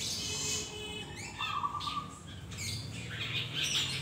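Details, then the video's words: Immature long-tailed shrike trying out its song, with a brief rising whistled sweep, a held mid-pitched note, then rough, noisy squawks. "cendet trotol belajar bunyi"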